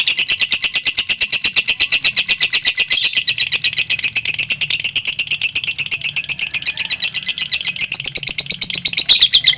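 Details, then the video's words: Two lovebirds of the fighter type in tight competition, singing for over two minutes: a fast, unbroken, high-pitched chattering trill of rapid pulses, steady throughout and slightly rising in places. "PERSAINGAN KETAT🔴 2 LOVE BIRD FIGHTER MENTIL DURASI TEMBUS 2 MENIT"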